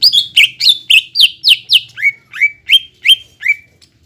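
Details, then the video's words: Lively greater green leafbird song played to excite a silent caged bird: a steady run of sharp, ringing whistles about four per second, the later ones lower, rising and evenly spaced. "PANCINGAN CUCAK IJO GACOR BUAT CUCAK IJO MACET BUNYI,MALAS BUNYI"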